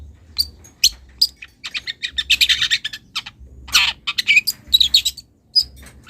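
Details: Young wild long-tailed shrike calling a rival and beginning to show mimicry. Scattered sharp ticks give way to a dense scratchy chatter, a loud rasping burst with a slurred whistle, then more clicks and chips, over a low hum.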